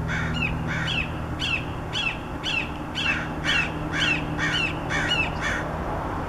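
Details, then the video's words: Red-shouldered Hawk, as the recordist believes, giving a steady run of about a dozen loud, slurred, downward 'kee-ah' screams, two per second, over a low background rumble. "Red Shouldered Hawk Call ~ Hawks Calling ~ Hawk Sounds"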